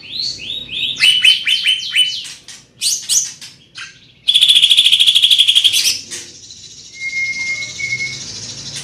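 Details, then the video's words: Greater green leafbird of large build singing loudly: quick descending whistled notes, a series of sharp chips, then a dense buzzing rattle followed by a long thin steady whistle. "Burung Cucak Ijo Body Besar Suara Tembus"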